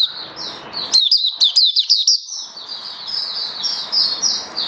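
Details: Caged oriental white-eye (mata puteh), recorded 21 October 2022 during its first day on a song-display booster, giving a run of thin, high, sweet notes and quick twitters over a steady hiss of background noise.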